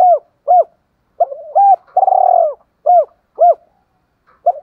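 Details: Morning coos from a decoy spotted dove luring wild doves. Short, rounded, hollow notes repeat roughly twice a second in irregular groups, with one drawn-out pulsing coo in the middle. Nothing else heard.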